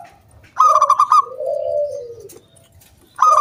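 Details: One zebra dove phrase in the crystal 'kung bulat' style from a loud local wild bird, played to entice other doves to sing. Rapid pulsed notes lead into a long, gently falling coo, and a new burst of notes begins at the end.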